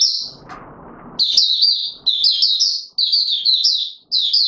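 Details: Rustling noise opens, then an Oriental white-eye (Mata Puteh Raja) courting on 25 January 2022 bursts into high, rapid twittered phrases repeated roughly every second.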